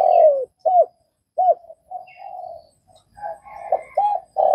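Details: Spotted dove in Vietnam calling; short, deep, hollow coos alternate with softer rolling murmurs, ending on a loud sustained coo, while small birds twitter faintly behind.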